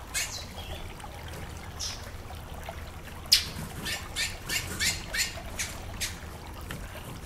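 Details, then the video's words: Calls of a female chestnut-bellied seed finch meant to warm up the male: a loose series of sharp, high chips, clustered between three and six seconds, over constant cascading water. "Fêmea de Curió Macheando"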